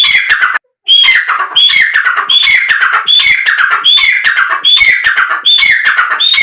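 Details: Black francolin calling, a sound meant to draw out and excite the bird: strident scratchy phrases repeat steadily, each opening on a sharp whistled upslur and then tumbling into rasping notes, about seventy-five per minute.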